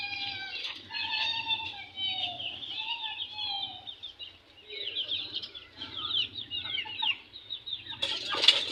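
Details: Young chickens fighting among a group of newly added chicks. A dense chorus of high, shrill peeps overlaps with a few lower, falling cheeps, ending in a burst of wing flapping.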